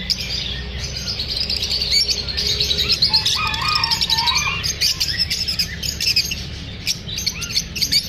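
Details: Lovebirds feeling unsafe during filming fill the air with busy, high-pitched tweeting from many birds, plus a short burst of lower warbling notes midway.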